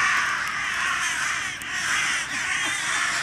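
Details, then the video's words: A crow fighting almost desperately against a goshawk, fending off its talons with its own claws, gives harsh, rasping alarm caws almost continuously, loud and grating with little pause between them. "Krähe kämpft gegen Habicht"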